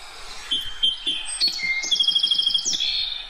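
Song Sparrow song: three clear, evenly spaced introductory notes, then a rapid, complex jumble of buzzes and trilled phrases at a high pitch.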